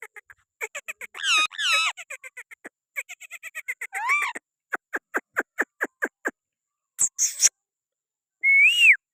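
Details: Pakistani green parrot perched on a person's hand, giving a varied string of clear whistled and harmonic notes, quick clicky pulses, wavering rising and falling whistles and a short harsh squawk, with silent gaps between phrases.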